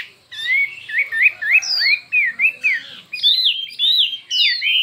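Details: Chinese hwamei in a singing contest with many voices: a chain of rising, curling whistled notes, then higher looping downslurs repeated in quick succession, vigorous and steady.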